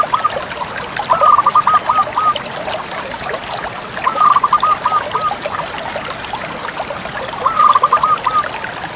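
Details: Zebra dove of the Bangkok type singing often, three trilled cooing phrases, each a clipped opening note followed by a quick stuttering series, spaced about three seconds apart over continuous trickling noise.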